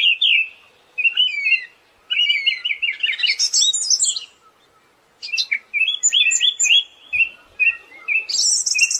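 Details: Song of a Siberian thrush, used as a training master: rapid warbled phrases with fast trills and high squeaky notes, a quiet gap near the middle, then more varied chirping ending in a buzzy burst.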